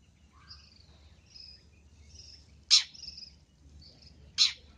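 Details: Long-tailed shrike call used as a luring sound: two loud, harsh rasping bursts about two seconds apart, with faint thin whistled notes and quiet background hiss between them.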